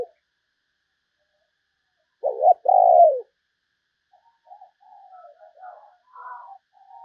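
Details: Spotted dove decoy bird calling to lure other doves: a loud, low two-part coo, a short wavering note and then a longer falling one, followed by softer, quieter cooing notes.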